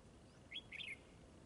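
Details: Red-whiskered bulbul at a trap, in a fighting display, delivering a brief two-part warbled phrase of bright, slurred notes over low background noise.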